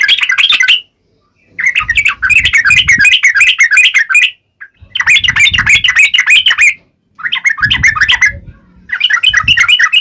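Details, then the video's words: Yellow-vented bulbul delivering sharp wild-style song to set off replies from other bulbuls: several long bursts of fast, bubbly chatter split by short silences, with low rumbling beneath. "KICAU SUARA trucukan gacor NGALAS TAJAM ini AMPUH SEKALI JADIKAN burung trucuk gacor SEKETIKA NYAUT"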